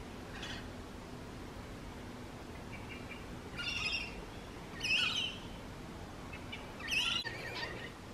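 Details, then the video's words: Rainbow lorikeet from urban eastern Australia, noisy as they feed and play: several short, harsh screeches spaced one to two seconds apart, rasping and high-pitched, with softer chatter between bursts. "Rainbow lorikeet"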